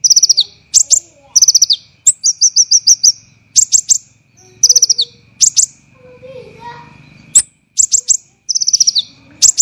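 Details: Olive-backed sunbird delivering tight, harsh training song for songbirds: quick high rattling trills and repeated sharp notes in short bursts, a pause near the middle with faint low murmuring, then renewed rapid bursts.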